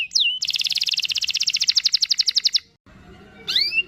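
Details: Singing canary used as a lure so young canaries learn to sing, delivering a long rolling song: a rapid, even trill of about thirty buzzy notes lasting two seconds, framed by short down-slurred and up-slurred whistles, with a brief quiet gap.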